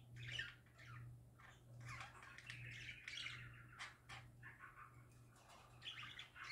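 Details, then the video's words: Several happy parakeets singing together in continuous warbling chatter, mixing rapid chirps, squeaky notes and short harsh squawks, with no real pause and a constant low hum underneath. "Parakeets Singing Happy Parakeets Parakeet Sounds"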